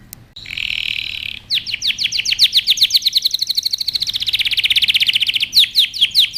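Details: Yellow canary song aimed at young birds in training: a harsh buzzy rasp opens, followed by a long rolling trill of quick descending chirps that accelerates and ends with sharper notes.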